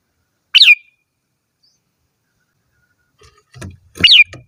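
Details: Red-whiskered bulbul giving two brief whistled phrases, each sweeping up then down, separated by a long silence; faint low rustling and knocking sounds come just before the second phrase.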